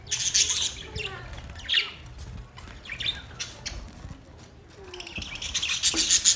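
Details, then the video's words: Pet budgies chirp and squawk in scratchy high bursts, strongest at the start and end, with quieter chatter and brief whistled notes between. "Budgies birds chirping sounds Budgies parrot sounds"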